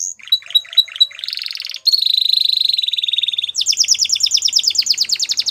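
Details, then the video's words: A Waterslager canary sings choppy piping notes, then a rapid rolling trill and a sustained bubbling tour, ending in fast repeated falling phrases. "Canary Waterslager Singing"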